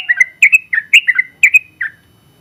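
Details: Gacor sooty-headed bulbul, a first-place contest bird, gives a brief burst of bubbly, slightly descending whistled notes in quick doubled pairs, then stops.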